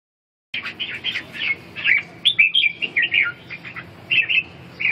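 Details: Red-whiskered bulbul singing in a dueling contest: bright warbled phrases of short, slurred whistles, delivered in quick bursts separated by brief pauses after an opening half-second of silence, over a faint low hum.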